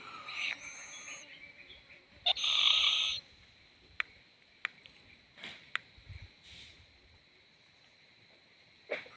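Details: Owlet swaying about; one harsh, breathy hiss of almost a second, with a few faint clicks and taps around it and a steady high background tone.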